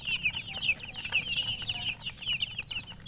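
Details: Colour chickens giving a steady stream of high, thin, downslurred chirps in quick succession, many overlapping, over a low background hum.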